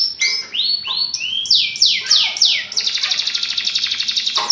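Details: Canary singing vigorously, used to stimulate juvenile or silent birds: short rising whistles, then a series of down-sweeping notes, ending in a fast, even, high rattling trill.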